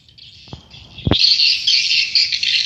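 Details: Swiftlets at a swiftlet house, a dense continuous chorus of high chirping and twittering that swells loudly after a couple of sharp knocks near the start.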